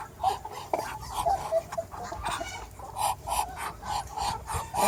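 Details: Backyard chickens among a mixed farm flock of more than 100 animals, making short, low, rounded clucks repeated at an uneven pace, with scratchy background noise and other birds calling faintly.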